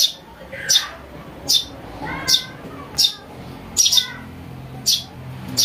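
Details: Calls of a house sparrow chick played to lure birds: repeated sharp chirps about every second, with fainter lower warbling notes from other birds in between.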